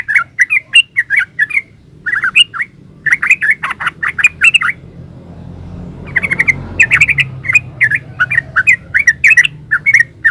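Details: Yellow-vented bulbul in lively 'ropel uplik' song: quick bursts of bubbly, gurgling notes strung closely together, a short break near the middle, then another long chattering run.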